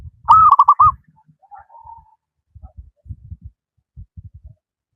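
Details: Zebra dove of a local wild line, singing freely: one loud cooing phrase with a held note and stuttered trill, then a quiet soft coo and scattered low knocks and thumps.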